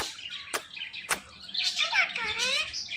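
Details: Pet ringneck parrot talking: busy high chirps and chatter with a few descending harmonic sweeps in the second half, plus two sharp clicks early on.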